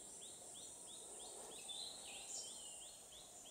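Tickell's blue flycatcher gives soft, high, arched notes about twice a second, over a steady shrill insect hiss.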